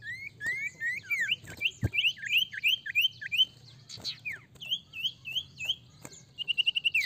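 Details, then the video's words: Lively sirtu song, meant to draw other birds to sing: a long run of quick, bright looping whistles repeated almost three times a second, ending in a fast trill of even notes, with a few clicks and taps. "Sirtu gacor ampuh sangat pancing sirtu bahan cepat bunyi"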